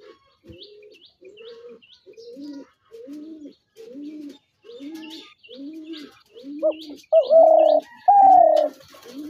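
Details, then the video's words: Dove calling: a steady series of soft, low, hollow coos about once a second, followed by louder, higher drawn-out coos near the end, with faint chirping above. "তিলা ঘুঘুর আরজিনাল ডাক"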